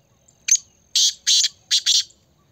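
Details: A black francolin's harsh call, one short scratchy note followed by two long buzzy notes and a quick double note, all loud and coarse, lasting around one and a half seconds against a quiet background.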